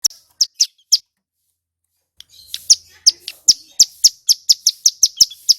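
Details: Male Bar-winged prinia, known locally as ciblek gunung, singing loudly and clearly; a few sharp high chirps, a short pause, then a fast run of bright repeated chip notes roughly every quarter second.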